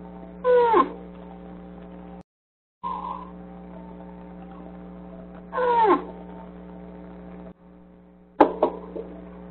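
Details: A female eclectus parrot straining to lay an egg inside a dark nest box gives three short, strained, whiny whimpers several seconds apart, each bending down in pitch, over a steady electrical hum.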